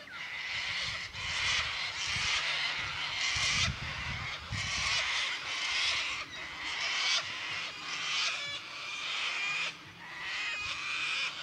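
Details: A large flock of sulphur-crested cockatoos in a paddock in Victoria, Australia, screeching together, harsh grating screams overlapping in an almost continuous, noisy chorus with brief lulls.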